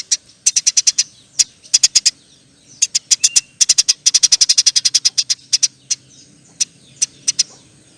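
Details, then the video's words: Long chattering nyerecet song of a Eurasian tree sparrow, with clusters of rapid, piercing chirps building into a dense run before thinning to single notes. "NYERECETTT PANJANG, KICAU BURUNG GEREJA GACOR"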